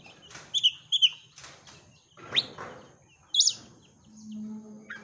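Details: Oriental magpie-robin, a contest champion, sings bait phrases to provoke rival birds: paired clear high whistles, then separate sharp rising notes, over a faint background hum and noise.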